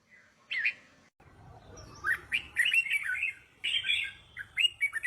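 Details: Song of a red-whiskered bulbul, used for teaching young birds to sing: one brief chirp, then a stream of fluty, warbling notes broken by a short pause, over a faint low rumble.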